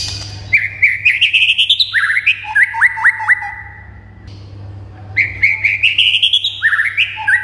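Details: White-rumped shama song to excite other birds into singing; rapid rising whistled trills, sharp upslurred notes, a drawn-out falling whistle, then another fast rising run.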